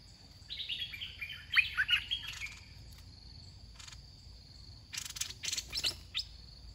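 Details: Red-whiskered bulbul in a cage, singing as a decoy at a trapping contest. There is one rich, rolling warbled phrase, then scattered clicks and rustles. Brief sharp chattering notes and cage noises follow toward the end.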